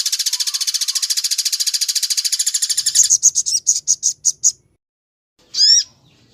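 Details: Sunbird training song in the 'tembak cililin' style: a long rapid buzzy trill, then separated sharp high chips about five per second, a pause and one short downslurred whistled phrase.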